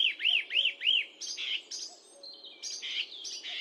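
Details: Song thrush delivering three arched, whistled notes in quick succession, each rising and falling, then a run of buzzy, scratchy phrases with varied high notes.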